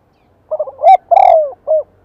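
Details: A spotted dove used as a lure sings to make wild birds call back. A single phrase with a choppy start, a rising note, a loud drawn-out falling burr and a short final coo. Otherwise silent.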